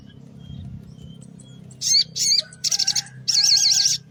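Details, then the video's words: Sogon pastol, or mountain tailorbird, in morning song used as a lure for small birds: faint thin whistles, then two sharp high notes, a stuttering buzzy burst and a long wavering trill over a low hum. "Sogon Pastol Gacor di Pagi Hari Untuk Pancingan Suara Pikat Burung Kecil Agar Emosi Nyaut Bunyi"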